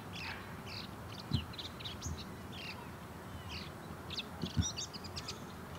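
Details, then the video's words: Male Bull-headed Shrike singing softly while courting a female in a courtship display: brief high chirps and twittering notes scattered through the clip, quiet against a steady low rumble with a couple of soft thumps. "「モズ」の求愛行動（ディスプレイ） “Bull-headed Shrike” exhibits courtship display"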